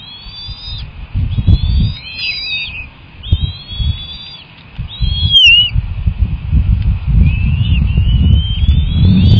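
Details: Bald eagles at the nest while being fed on March 18, with two young that hatched in early 2024. Thin, high, slightly wavering whistles repeat about every second over low rumbling wind and handling noise.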